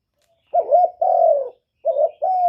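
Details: Two low two-part coos from a decoy spotted dove luring wild birds, each a short wavering note followed by a longer, slightly falling one, with the second phrase cut off.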